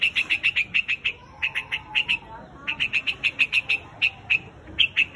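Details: A white-headed quạch mốc gives repeated flock calls, runs of crisp, bright chip notes grouped in bursts of four to six, with short breaks between bursts and a soft hiss behind.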